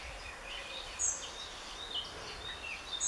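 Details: A spotted flycatcher in Northern Germany in July 2013 gives thin, very high, short 'tsee' calls, one near the start and one at the end, over steady background hiss.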